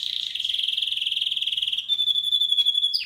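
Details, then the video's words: Canary chirping in one continuous rapid trill, steady and ringing, pulsing many times a second before it shifts into a purer, higher whistled tone at the end. "Canary's voice A very beautiful canary's chirping canary's voice"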